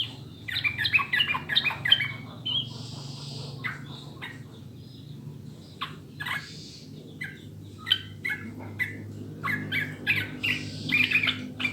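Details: Sooty-headed bulbul song meant to prompt caged birds to sing. Bubbly phrases start and end the recording, with a quieter middle of scattered short notes and a buzzy hiss, over a steady low hum.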